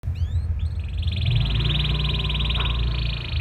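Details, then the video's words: Canary in full song, said to be a strong singer with special phrasing meant to make other canaries answer; a few rising whistled swoops, then a long fast buzzy trill held steady, over a constant low rumble. "Burung Kenari Gacor Nembak Joss Cengkok Istimewa! Buat Kenari Lain Langsung Nyaut Gak Pake Lama"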